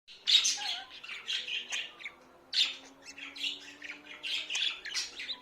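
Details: Pet budgerigars indoors chattering in bursts of scratchy, warbling high notes with sharp squawks, two louder outbursts near the start and middle, a faint low hum underneath.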